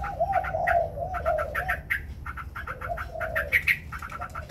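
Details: White Chinese hwamei in a singing contest, wings spread: rapid bursts of sharp, ringing notes over lower warbled, slurred phrases, continuing throughout with faint background hum.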